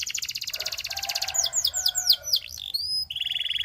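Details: Gloster canary singing to prompt other canaries to sing: a fast buzzy trill, then rapid downward-sweeping whistled notes, a long pure whistle and a dense high rattle.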